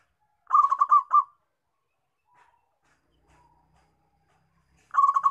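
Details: Zebra dove, a local bird, giving a short stuttering run of about five rapid cooing notes, then near silence, then another burst beginning at the end.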